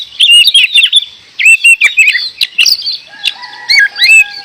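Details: Gacor song of an oriental magpie-robin (kacer): quick whistled and rippling notes in short runs, then a steady low tone underneath near the end.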